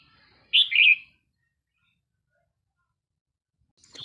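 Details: At an early-morning trapping session with a decoy, a wild Red-whiskered Bulbul gives one loud, rich warbled phrase of a few rolling notes. Near-silence follows, and a brief sharp sound comes at the end.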